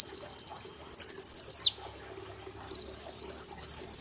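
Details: Brown-throated sunbird, a caged bird singing in lively competition form, recorded as training material. Fast runs of high ticking notes alternate between two pitches and end in a quick downward sweep, then a pause before the trills resume.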